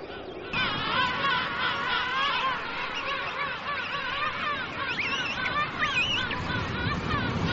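King penguins in a dense colony chorus: many overlapping trumpeting, warbling calls that rise and fall, forming a constant babble with no pauses.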